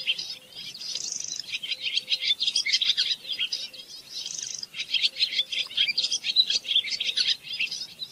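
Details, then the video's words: Barn swallow song: a fast, continuous twittering of high chirps and scratchy rattles, running without pause, with a faint low hum underneath. "صوت تغريد طائر السنونو / الخطاف /خطاف الشعر /سنونو المخازن/عصفور الجنة المخازن / Barn swallow"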